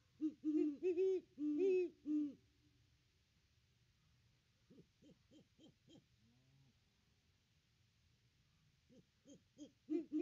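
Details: A great horned owl pair at the nest tree, nest cam, Christmas Day 2021. Loud deep hoots lead off, then a long quiet stretch with soft, quick hoot series, and louder hoots returning at the end.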